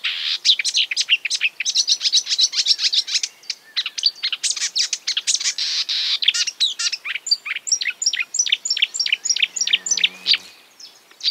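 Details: Marsh warbler imitating other birds: a rapid, continuous run of high chirps and sharp notes, then a faster series of clipped rising whistles near the end, with a brief low buzzy phrase underneath.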